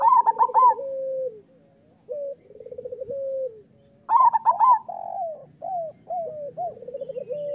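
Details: Local zebra dove master song, used to prompt lazy or moulting doves to sing: loud trilled bursts at about one second and again at four seconds, each followed by lower, softer rolling coos and short hooked notes.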